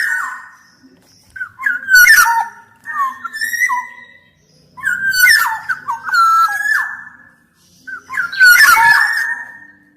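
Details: Black-naped oriole (kepodang emas) singing steadily, recorded as tutor song to prompt silent or lazy orioles. Three phrases arrive every few seconds, each a rich fluty whistle mixed with harsh, raspy bursts, over a quiet background.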